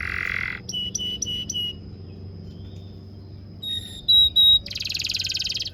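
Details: Canary song used as a master recording for training young canaries: a brief buzzy burst, three repeated clipped notes, a pause, then thin whistled notes and a dense buzzy trill to close.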